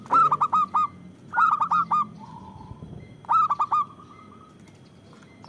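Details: Local zebra dove in full, loud voice, used as a lure and to provoke other doves into singing: three bursts of four quick, hooked, mellow coos, each burst about one and a half seconds apart, with a soft low murmur between.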